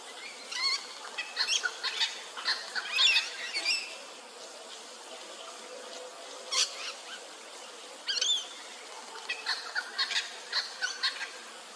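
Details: Little wattlebird in a standoff with a noisy miner in Sydney: harsh, raspy wattlebird calls in uneven bursts mixed with the miner's sharp scolding chatter; a few louder squawks stand out.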